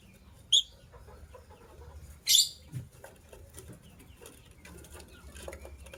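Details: White lovebirds, a matching couple, in the morning: one brief sharp chirp, then a louder harsh, high squeal, over quiet background noise.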